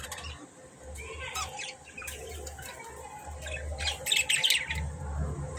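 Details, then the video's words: Budgies giving short scratchy chirps and squawks, a brief cluster early on and a louder burst of rapid, noisy twitters later, over constant low humming background noise. "Budgies_beautiful chirping sound"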